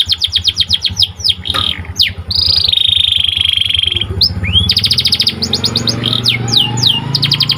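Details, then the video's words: White canary singing a training song meant to make canaries sing more eagerly: quick runs of sharp downslurred notes, then a long steady buzzy roll, then fast rattling trills and slurs over a low constant hum. "Pelatihan burung kenari agar semakin gacor"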